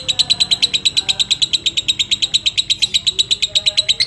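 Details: Long ngekek chatter from a fighter lovebird, meant to provoke rival lovebirds and to train other birds: a steady, rapid string of sharp high chirps, roughly seven a second, with faint lower tones behind.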